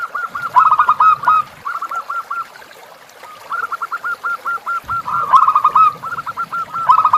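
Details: Captive-bird tutor recording of zebra dove song with river sounds: near-continuous strings of short rhythmic coos, loud rolling bursts overlapping softer phrases, a short quiet gap in the middle.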